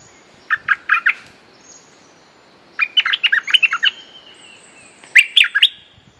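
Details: Streak-eared bulbul giving a fierce, lively lure song: three bursts of quick, bright chirping notes, first a short group of four, then a long run of about ten, then a brief closing flurry, with quiet pauses between.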